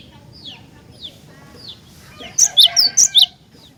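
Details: Cinereous tit song meant to stir other tits to sing: a few faint, downslurred notes, then a loud, quick burst of about six sharp, high notes alternating between two pitches.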